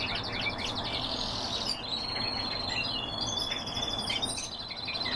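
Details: European bee-eater calls: rolling, trilled notes drawn out high in pitch, overlapping with other faint chirps over a steady background hiss.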